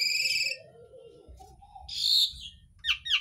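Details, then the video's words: Asian pied starling singing a loud, varied medley: a harsh buzzy opening, a low wavering whistle, then a bright scratchy burst and sharp chirps that sound borrowed from other birds. "JALAK UREN ISIAN MEWAH"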